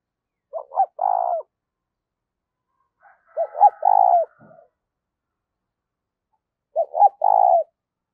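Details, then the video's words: Decoy spotted dove kept to lure wild doves, giving three short clustered coo bursts about three seconds apart, each a quick double note rolling into a fuller hollow note. "Chim Cu Mồi gấy kích bổi hiệu quả 100%/ cu gay kich boi nhanh noi gù"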